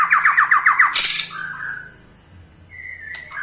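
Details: White-rumped shama ketrekan, given to stir other shamas into song: a crisp rattle of seven evenly spaced, rapid downslurred notes, then a harsh burst and two drawn-out whistles.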